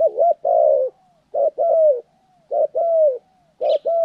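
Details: Spotted dove recorded during decoy (pikat) training on 14 January 2020, repeating a soft, low coo phrase about once a second: a short note, then a longer, slightly falling croon. A brief high chirp comes near the end.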